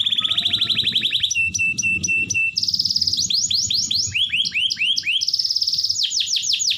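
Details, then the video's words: A canary singing to encourage reluctant canaries: a fast low trill, spaced level notes, then a high rattling roll and swooping whistled phrases, with a faint low hum behind. "KENARI GACOR Terbukti Cocok Untuk Pancingan Kenari Susah Bunyi"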